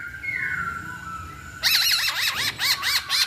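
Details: Masked laughingthrush song used as a lure to make a bird sing: a soft, drawn-out whistle, then a loud burst of rapid, wavering, warbled notes against steady background noise.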